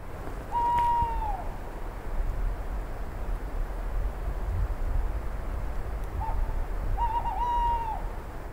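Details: Tawny Owl song in Germany: a long drawn-out hoot, then after a pause a brief note and a wavering, quavering hoot, over a low background rumble.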